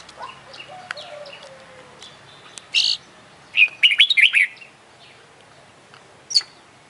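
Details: Oriental magpie-robin, an international champion competition bird, singing a full 'isian' song of fill-in phrases: scattered thin whistles, then dense loud chattering bursts with rapid warbled notes and a sharp final note.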